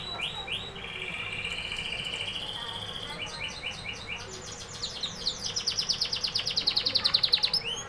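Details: Canary singing: a long steady whistled note near the start, then rapid repeated buzzy trills and rolling chirps climbing higher, ending in fast, loud, evenly pulsed trill phrases.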